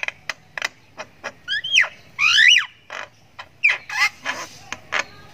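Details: Young jalak kebo sultan (Javan myna) chick making ngriwik calls as it learns its voice: sharp clicks mixed with rising, slurred whistles and a longer grating burst in the middle.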